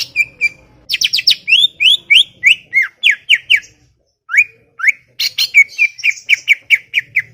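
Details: Greater green leafbird pouring out a chattering song of rapid, sharp, falling notes, about four a second, with a brief pause halfway and a faint low hum.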